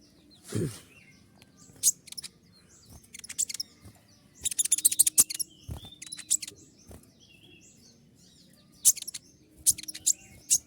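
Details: Kolibri ninja sunbird in a training recording full of its sharp 'tembakan' shots: a very high, scattered run of short piercing chips and quick clustered bursts, with fainter twittering and a low steady background hum.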